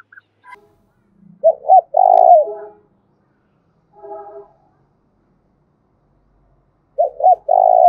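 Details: Spotted dove used as a lure to attract wild doves. Two phrases of double short coos and a long low note, the second cut off. Fainter tonal sounds fall between the phrases.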